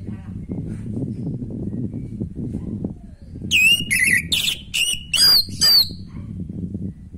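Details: Orange-headed thrush singing to spur a stalled bird lacking breeding drive: after three seconds of low rumbling background, a rapid burst of bright, slurred whistles and sharp chirps lasts about two and a half seconds, then fades.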